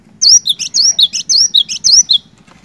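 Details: Singing cinereous tit, played to make a silent bird sing: a fast series of piercing, high two-note phrases, about nine in two seconds, ending abruptly against a soft low hum.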